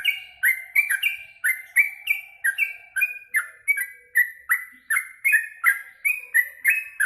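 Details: Yellow-vented bulbul singing busily after eating mealworms: a steady run of bright chirped notes, roughly three per second, each with a thin, high tick above it.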